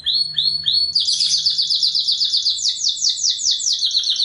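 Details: Canary song used to train caged songbirds: a few soft separate notes lead into a long, loud, fast-pulsed trill of rapidly repeated chirps at high pitch.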